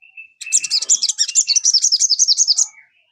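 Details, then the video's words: Sogon song for getting a kept bird to sing along: a rapid, even trill of very high, sharp notes, roughly fifteen in two seconds, between softer whistled notes. "PANCINGAN SOGON. BIAR SOGON MU IKUT CEPAT RAJIN BUNYI"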